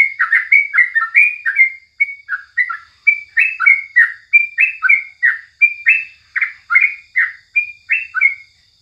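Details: Steady morning chattering by a Sooty-headed Bulbul: nearly nine seconds of evenly paced, sweet chirped notes, around three per second, alternating slightly higher and lower, with no other sounds.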